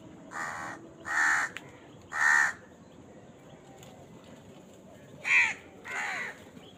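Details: Eating crow calls in a series: three harsh caws roughly one second apart, a pause of about three seconds, then two more rasping caws, over steady low background noise.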